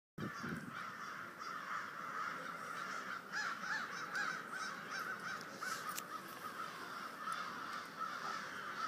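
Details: American crows calling during the snowstorm Nemo just before dark in Waterbury, Connecticut; hoarse caws are repeated, partly masked by a steady storm roar of wind and snow throughout.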